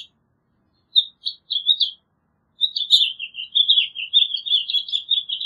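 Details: House finch song opening with a few separate chirps, then breaking after a short pause into a long, lively warbling run of quick slurred notes.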